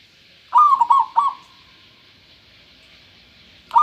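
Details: Local zebra dove's clear cooing phrase of a rising note and several quick stuttered pulses with a trailing tone, then the start of another phrase at the end; faint high hiss throughout.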